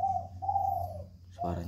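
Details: Caged spotted dove in a jungle fowl breeding enclosure, its voice described as good and loud. Two smooth, hollow coo notes sound, then a man starts speaking over a low background hum.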